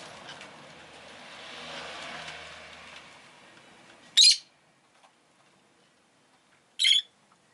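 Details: Rosy-faced lovebird in a home giving two piercing chirps about two and a half seconds apart, after a passing rumble of street traffic fades away.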